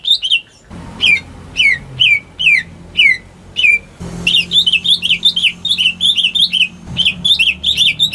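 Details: Caged greater green leafbird kept at home as a song lure for birds that have stopped singing: a series of spaced downslurred chirps, then after a knock a fast, continuous stream of chattering, warbled notes.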